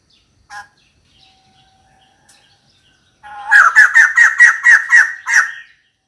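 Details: Female white-crested laughingthrush calling for a partner: one isolated note, a quiet stretch, then a rapid, cackling series of about ten harsh notes delivered in just over two seconds.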